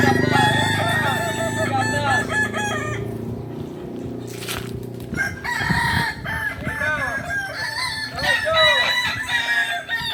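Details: Ornamental Kukuak Balenggek chickens native to Solok, West Sumatra, at a crowing practice meet. Multi-syllable crows with rippling, bouncing notes come in two rounds, split by a brief noisy thump and low rumble.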